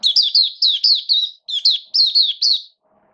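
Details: Caged Oriental white-eye (mata puteh) kept as a hobby songbird, giving its opening song during wet rainy weather, 8 October 2022: a quick run of high, sweet, down-slurred chirping notes in tight bursts, ending in a faint low hum.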